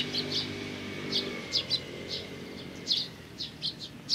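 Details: Sparrows on 17 May 2019, parents together with chicks: irregular bright chirps in pairs and singles over a low humming drone that fades midway.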